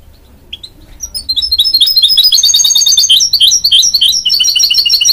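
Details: Hybrid goldfinch-canary (mule) starts with soft single chirps, then launches into a steady stream of fast, high twittering trills.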